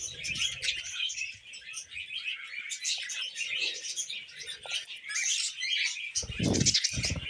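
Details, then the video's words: Two pet budgies sitting on a hand sing as a couple, a busy rambling chatter of rapid chirps, clicks and high squeaks without pause, with low handling thumps near the end. "Budgie Couple Singing on Hand"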